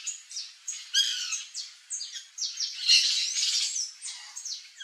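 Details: White Woodpecker at backyard fruit trees giving a rapid, overlapping series of harsh, squeaky chattering notes, several calls a second, high-pitched and uneven, with little else heard.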